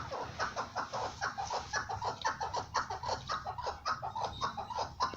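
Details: Chukar partridge calling; a long run of rhythmic, throaty chuck notes at a low middle pitch, about two per second, slightly uneven, over steady background hiss.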